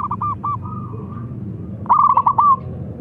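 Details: Local zebra dove, a lively caller, calling to challenge rivals to sing: two bursts of rapid, rolling cooing notes with a trilled, stuttering quality, the second louder and ending in a drawn-out coo, over faint low background hum.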